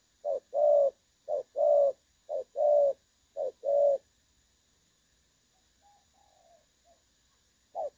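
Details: A spotted dove's clear 'đồng son' voice, used as a lure when trapping doves. Four crisp paired coos, short then drawn out, are followed by several seconds of near silence with faint distant cooing before the calling resumes.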